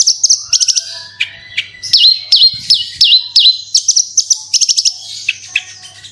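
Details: High, lively Javan bush lark song used to get other larks singing: rapid clusters of sharp chips, a long rising whistle, then a series of looping slurred notes repeated about twice a second.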